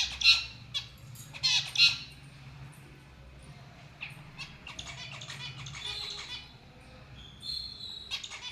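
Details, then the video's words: Lovebirds chirping: a few harsh high squawks and chirps, loudest near the start, then scattered softer chirps and a brief clearer note near the end, over low background hum. "Love birds sounds & Chirping"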